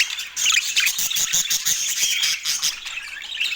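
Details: Pet parakeet during morning feeding time on an autumn day in natural light, giving dense, rapid, high chirps and squeaky twitters that overlap continuously with little pause.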